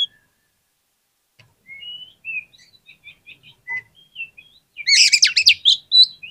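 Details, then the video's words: Oriental magpie-robin lure song to spur silent birds: soft, scattered short whistles, then a loud rapid burst of buzzy, trilled chatter and whistles near the end. "PANCINGAN KACER PALING AMPUH UNTUK RANGSANGAN KACER YANG MALAS BUNYI AGAR CEPAT NYAUT"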